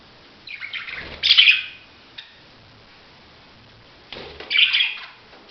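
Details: Budgerigar making two separate bursts of harsh, grating chirps, each rising to a loud scratchy peak, with a quiet pause between them.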